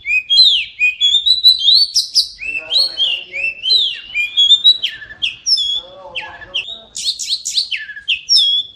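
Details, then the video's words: Oriental magpie-robin singing clear whistled slurs and high sharp chirps, with frequent brief pauses. Lower, buzzier chatter is heard in between. "Kacer pasti nyamber dan gacor klo dengar ini"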